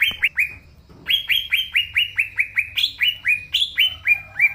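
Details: Green leafbird in loud song, two quick whistles, then a steady string of about fifteen sharp downslurred whistled notes, some pitched higher, several each second.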